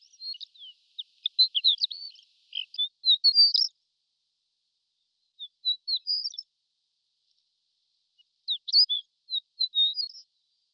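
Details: Horned lark calling: bursts of thin, high, tinkling chirps and twittering notes in quick clusters, separated by pauses of a couple of seconds, with a quiet background.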